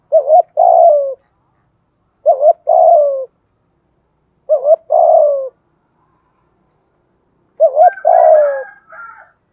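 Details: Decoy spotted dove cooing to prompt wild doves to call, four regular phrases each made of a short wavering note and a purring coo that slides down; a faint higher chirp near the end.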